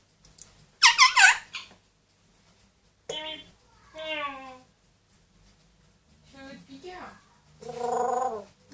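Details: Indoor pet parrots, a grey parrot aged two and an Amazon aged one: an opening loud, harsh squawk, then wavering harmonic calls that sound like mimicked noises, and a closing nasal, drawn-out cry.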